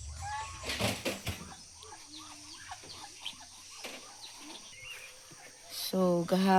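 A goose gives loud, nasal, harmonic-rich honks in a quick pair near the end, after a stretch of quieter farmyard clucks, wing flaps and brief human voices.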